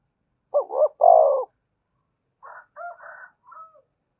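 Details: Cooing spotted dove used to lure wild doves to call and come to the perch: one loud phrase of two short looping notes and a long mellow coo, followed by quieter, broken answering coos.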